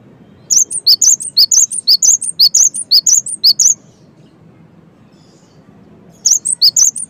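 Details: Cinereous tit in persistent gacor song, bright high chirping notes repeated briskly for about three seconds, then silence before the phrase restarts near the end.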